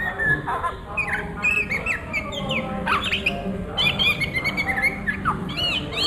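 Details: Oriental magpie-robin ngriwik song at midday: dense chatter of quick chirps, harsh notes and sliding whistles, very high thin notes mixed in, continuing without real pause over low background noise.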